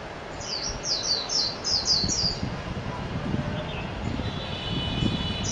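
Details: Japanese white-eye (mejiro) singing: a quick run of thin, high, down-slurred chirps over the first two seconds, then a few softer high notes later, over a low rumbling background.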